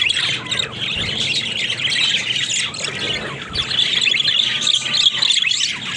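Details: Pet talking budgies chatter with rapid chirps, squawks and buzzy trills, with a couple of low thuds in the background.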